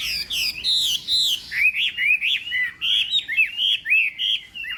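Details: Chinese hwamei singing for contest training in the morning: a few long high whistles, followed by a lively rhythmic sequence of bright, looping whistled notes about three per second.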